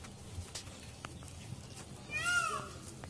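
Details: Peacock screaming during its display dance: one loud, harmonic, arching cry lasting about half a second comes late, after a quiet stretch with a few soft clicks and low background rumble.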